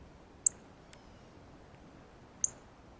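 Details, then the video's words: Two crisp, high-pitched chips, about two seconds apart, from a male Northern Cardinal eating seeds on a ripe banana at a feeder, heard close up with faint background hiss. "Cardinal 🐦Meets Banana - Feeding Chirp Sounds"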